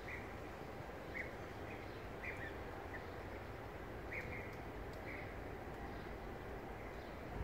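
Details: Migrating European bee-eaters passing over a park by the Strait give soft, rolling 'prruip' calls, single or in short pairs every second or so, over a steady roar of traffic or wind.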